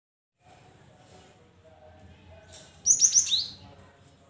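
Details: Cinereous tit song played to lure silent caged birds into singing: a quick run of four sharp, high whistled notes, the last dropping lower, over a low steady hum.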